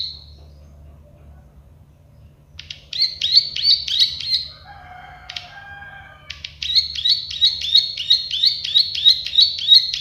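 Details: Plain prinia (prenjak sawah) master recording: bursts of rapid dry clicking notes, interrupted midway by a lower, softer chattering call from another bird, then a long steady run of quick buzzy clicks.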